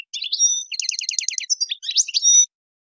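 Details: European goldfinch in the Algerian tadmait style, a strong song used to teach young birds faultless singing: a fast run of tinkling twittering notes, a rapid repeated trill, then a clear drawn-out whistle, with no background noise.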